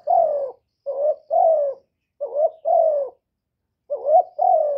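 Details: Spotted dove, a kept bird, recorded close with no background noise, giving calling, urging and cooing phrases. Short mid-pitched coos come in pairs, each dipping or rising then sliding down, with a gap of about half a second between phrases.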